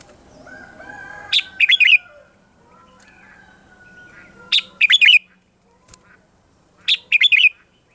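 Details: Red-whiskered bulbul giving morning song for voice training of other bulbuls: three loud, fast phrases of tumbling whistled and chirped notes, each about half a second long, spaced two to three seconds apart, in quiet surroundings.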